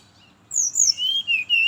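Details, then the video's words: Brown-chested jungle flycatcher in the morning, a lure for others of its kind: a loud high whistle slurring downward, followed by a long, lower, level whistle with short breaks. "Suara merdu burung SRDC (sikatan rimba dada coklat) di pagi hari, pancingan buat srdc lain"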